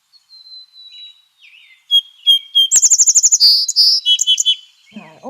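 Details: Song Sparrow from the Pacific Northwest during the breeding season: a few thin whistled notes lead into a fast, almost metallic trill of about a dozen rapid notes, then several sharp high notes, with chickadees faint in the background.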